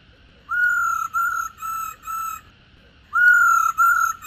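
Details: Female black-throated laughingthrush calling 'ro' to prompt males to sing: four drawn-out, reedy notes, then a pause and two louder, longer notes, with a faint steady hum behind.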